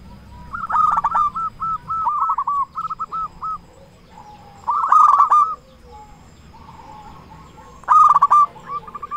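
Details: Loud-voiced local zebra dove singing as a lure for other doves; chains of bubbling staccato coos run across the stretch, with three louder, harsher rolling bursts roughly every three to four seconds.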